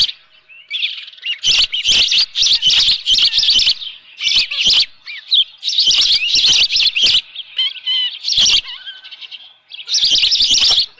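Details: An Osprey calls repeatedly at the nest holding a live fish, morning of 24 June 2018; long bouts of loud, rapid, strident chirping broken by short gaps and a few faint whistles.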